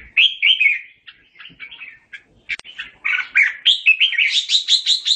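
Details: Red-whiskered bulbul singing to call its flock: warbled whistles, a sparse middle with a sharp click, then a quickening run of high, repeated chirps.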